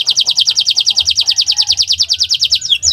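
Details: Canary song in the 'owor-owor uhuii' style, used for training other birds. A fast, regular trill of repeated short notes runs for over two seconds, ending in a couple of looping whistles.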